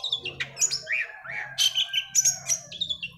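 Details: Long-tailed shrike song used as a lure for a silent caged bird: dense, fast, varied warbling with sliding whistles and sharp high notes, over a steady low hum.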